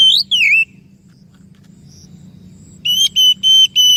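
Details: Oriental magpie-robin whistles used to coax other birds into answering: a descending swoop at the start, a silent stretch, then four evenly spaced, clear, level whistled notes.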